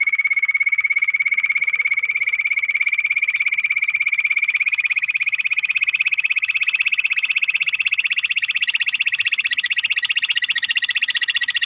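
A bush quail gives a fast, steady trill of high, bright notes that holds one pitch and edges slightly higher over about twelve seconds. No other sounds stand out.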